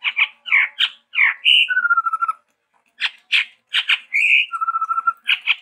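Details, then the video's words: Chestnut-rumped babbler, endemic to Sumatra, in lively varied song: clusters of sharp chattering notes, then a clear whistled note that drops to a long steady lower whistle, the phrase repeated after a short pause. "TEPUS TUNGGIR MERAH GACOR VARIASI"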